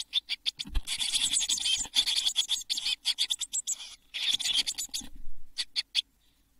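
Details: Seven Eurasian blue tit chicks in a nest box, all of which fledged at Midsummer on 24 June 2022, give a dense, high, buzzy chittering in rapid overlapping bursts, with a few soft low knocks between them.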